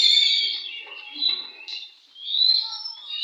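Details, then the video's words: During a bird singing contest, an Oriental magpie-robin sings high, piercing whistles that soften into quieter warbling, then swell again into bright, sweeping notes, with soft low background murmur. "kontes burung Kacer"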